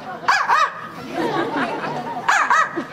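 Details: A male Yellow-naped Amazon at African Lion Safari, 17 May 2009, mimics a small dog, giving sharp, yappy barks in quick pairs.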